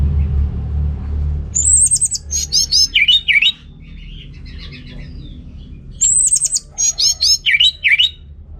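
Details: Orange-headed thrush singing to spur males lacking breeding drive: a high fluttering whistle followed by rapid stuttered notes and two dipping slurs, the same phrase given twice about four seconds apart, with soft chatter between.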